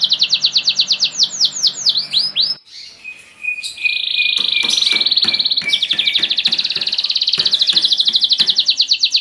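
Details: Canary song from caged Spanish Giboso birds: swooping falling whistles, a lull with scattered clicks, then a steady high rattling roll, over a faint low hum.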